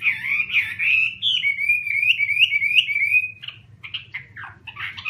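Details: Chinese hwamei song with rich slurred whistles that wobble up and down, a fast warbled passage, then short, sharp, broken notes. A faint low hum sits underneath.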